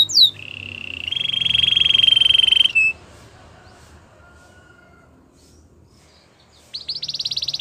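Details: Gloster canary song: a short down-slurred note opens a sustained rolling trill of about one and a half seconds, followed by near silence and a fast bright trill at the end.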